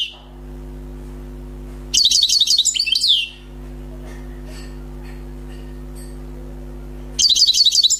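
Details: A wild European goldfinch, freshly trapped, delivers two quick bursts of bright, tinkling twitter notes with a descending slur, separated by a quiet gap holding faint soft chips and a low hum.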